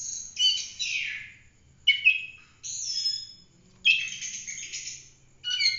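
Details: Oriental magpie-robin singing in full-roll 'tembak' style for training other birds. Bursts of high, hissy, buzzy phrases and sharp notes come roughly every two seconds, with quiet gaps between them.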